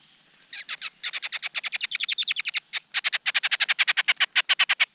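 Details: Brood of Large Niltava chicks begging as the male hurries to feed them: after a quiet start, an unbroken stream of scratchy notes, roughly three to four per second, growing steadily louder.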